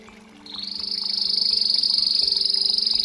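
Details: Belgian canary in campainha (bell) song: after a brief quiet start, a sustained, high, fast pulsing trill builds and holds steady, over a noticeable low hum.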